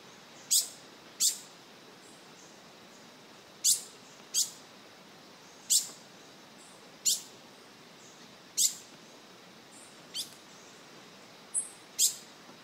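A green-headed tanager gives about ten thin, sharp, very high ticking notes at an irregular pace, singly or in quick pairs, over a quiet background.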